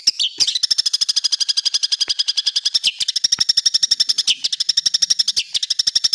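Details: Cendet (long-tailed shrike) masteran, harsh rapid-fire song used to train caged birds for contests: a dense, steady machine-gun stream of high clipped notes, about four per second, broken by a few brief whistled slurs.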